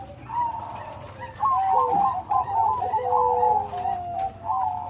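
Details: Zebra dove of the Bangkok type delivering its loud, full-rhythm song: a string of soft rolling coos, mid-pitched, with short trilled bursts and a lower sliding note beneath.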